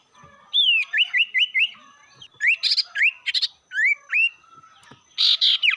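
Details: Provoking lure song of a sirtu: a chain of five rising whistles, then mixed upslurred whistles with stuttered buzzy notes, ending in a loud rasping burst.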